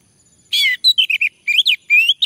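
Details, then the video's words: Male orange-headed thrush prompted into song, giving a lively run of clear whistled notes, some rising and some falling, delivered in quick bursts with short gaps between them. "Anis merah jantan, agar bunyi"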